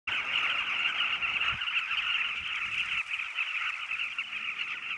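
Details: Southern carmine bee-eaters at their nesting site call together in a dense, continuous chorus of throaty, rolling trills that overlap into a steady chatter, with light background noise.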